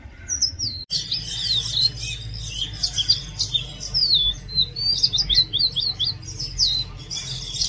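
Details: Oriental magpie-robin singing loudly: a continuous run of varied high whistles, slurs and chirps, many notes sliding down, delivered fast for several seconds after a brief click at the start, over a low background hum.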